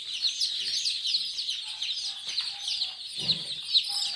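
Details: Day-old Kadaknath chicks at Singaperumal Koil, Chengalpattu district, give rapid, shrill peeps in a busy chorus, with a few faint lower sounds underneath.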